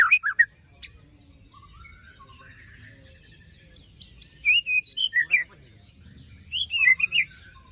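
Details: Lure song of a white-rumped shama for post-moult silent birds. Quick harsh notes open it, then soft low whistles, followed by a long run of varied high whistles and trills. A final burst of fluttering notes ends the recording.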